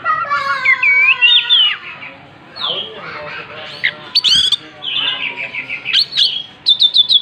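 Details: Oriental magpie-robin singing energetically while spreading its tail: varied whistled phrases with rising and falling slurs, harsher chattering notes, and a quick run of sharp repeated chips at the end.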